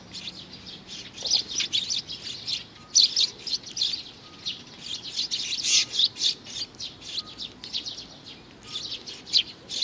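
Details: A young sparrow recorded June 2019 chirps insistently, sharp high notes in irregular runs with brief pauses, some louder peaks near the middle, faint background noise.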